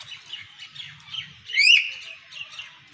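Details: Talking hill myna giving a run of chattering, harmonic notes in a steady mid-high pitch band, broken midway by one loud, clear rising whistle, then more softer chatter.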